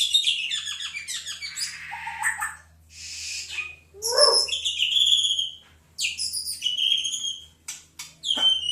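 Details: Oriental magpie-robin singing a rich, varied song of quick high chirps, trills and sharp whistled notes, with rapid downslurred phrases and brief pauses between bursts over a low steady hum.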